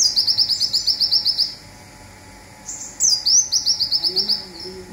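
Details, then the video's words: Olive-backed sunbird from Indonesia giving the zipper song used to tutor cage birds: a quick rattle of about ten high ticks, a silent pause, then a sliding whistle and another rattle; faint low murmur near the end. "Konin Lokal Tembakan Zipper||Andalan Kicau Mania||Masteran Burung"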